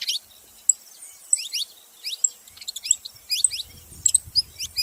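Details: Saffron finch uttering scattered high, downslurred chirps with pauses between them, and faint low noise near the end.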